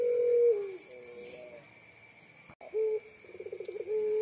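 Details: Young contest-prospect puter pelung dove, a caller said to break the silence of the night. Steady low coos alternate with a quick, trilled, pulsing roll, over a continuous pair of high, thin background tones.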